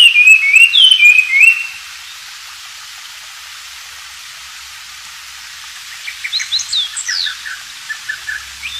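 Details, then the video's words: Oriental magpie-robin in the wild, recorded as a tutor song for white-rumped shamas: under two seconds of bright, slurred whistled notes, then near silence, then faint, scattered short chirps toward the end. "burung wambi gacor dialam liar"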